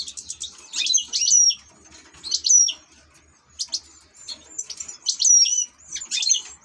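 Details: Ornamental European goldfinch singing clear, high, tinkling phrases of fast twitters ending in drawn-out whistles, about five bursts with short pauses between, over a quiet background.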